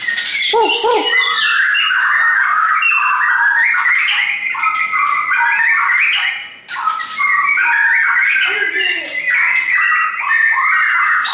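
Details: Kept shama delivering a long, varied song of bright whistles, trills and sweeping notes, almost unbroken for eleven seconds, with a brief low human voice near the start and a short pause midway.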